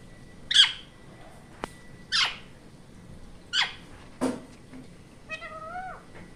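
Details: Indian ringneck parrot giving loud, harsh, broadband screeches in short bursts about every one to two seconds, followed by a few higher, rising nasal notes near the end, in a quiet indoor setting.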